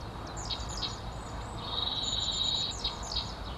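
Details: Long-tailed tit calling: thin, very high, short notes repeated irregularly, plus one steady high whistle-like tone lasting over a second, over a constant low rumble of background noise.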